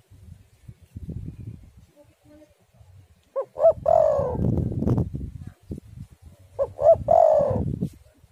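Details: Spotted dove song used to lure doves and prompt them to sing, against a storm-wind setting: two low, hollow coo phrases, each a pair of short notes rising into a longer rolling coo, over steady low wind rumble.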